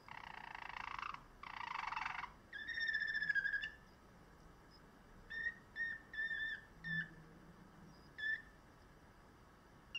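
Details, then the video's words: A canary bred for song gives two rough buzzy bursts, then a brief sliding whistle and scattered short whistled notes with quiet pauses between them. "List of Song canaries singing : Bred for their sweet Canary singing ability"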